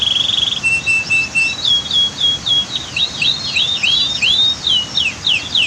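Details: Caged canary singing a training song set against the roar of a waterfall and dam: rapid high, bright trills and sweeping whistled notes in dense, varied phrases. A long steady whistle opens, then quick rising and falling slurs, over constant rushing water.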